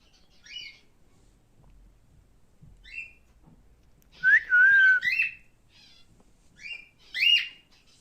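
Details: Male cockatiel mixing short chirped notes with a clear, wavering whistled phrase in the middle, followed by a couple of sharper squawks.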